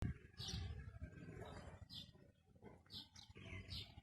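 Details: Ringneck parakeet, a talking parrot, giving short bright squawky bursts about once a second over a low rumbling room background.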